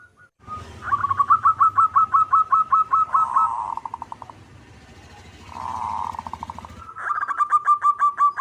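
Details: Local zebra dove in full manggung song: a quick run of clipped cooing notes slurs into a soft rolling purr, a second purred phrase follows, then a fresh burst of rapid staccato notes begins.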